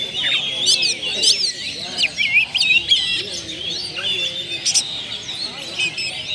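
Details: Oriental magpie-robin (kacer) in captivity, singing its isian of copied phrases for a lure track: rapid, irregular high twitters and whistled slurs over about six seconds, with some softer lower warbling beneath.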